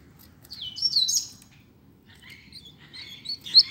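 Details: Coleiro, or double-collared seedeater, singing in a contest: a short slurred high whistle phrase, a pause, then quieter scratchy chirps ending in one sharp bright note.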